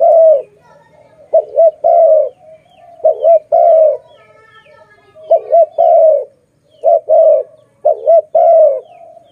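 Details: Pet dove with a very loud voice giving a long series of coo phrases, each a brief rippling double note then a sustained coo, about five phrases in succession over a low soft background murmur.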